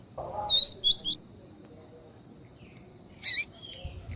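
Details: Female coleiro tui tui, or lined seedeater, calling to excite a male for training: two short rising whistles followed by a harsh chip, then one louder scratchy chip after a pause.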